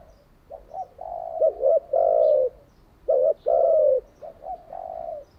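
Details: Spotted dove cooing, used to train captive doves: a series of low, rounded coos with longer drawn-out notes, in uneven phrases over about five seconds, with faint background hiss.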